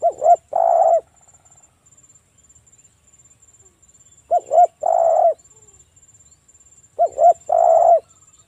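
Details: Spotted dove, local type, in strong song used as a lure for other doves: three phrases about three seconds apart, each a quick pair of short notes followed by a longer, slightly rough coo.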